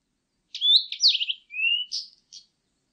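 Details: Blue-and-white Flycatcher singing a clean phrase of high, slurred whistled notes: a rising whistle, a falling note with a rough edge, a long level whistle, then two short buzzy notes, with silent background.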